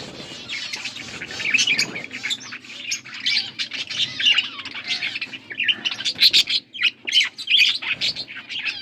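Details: Chattering warble from blue budgies as they feed one another, August 13, 2024; a steady jumble of quick high chirps and short squawks, with a few sharper bursts near the end.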